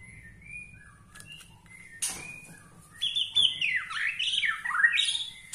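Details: Borneo white-rumped shama in a song style meant to provoke other shamas: a few quiet short notes, then a fast rush of sweeping whistled phrases rising and falling in quick succession.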